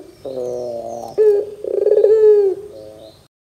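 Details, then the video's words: Barbary dove lure call to prompt young doves: a soft rolling trill, then a bright coo and a stuttering, bubbling, sustained note that slides down into a quieter trill. "PANCINGAN PUTER GACOR DOR TERMEWAH 2024, WAJIB COBA, PUTER BAHAN MUDA PASTI NYAUT"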